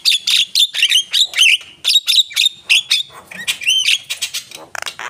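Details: Javan myna in loud, energetic song with repeated harsh, buzzy chattering notes mixed with short whistles and scratchy trills.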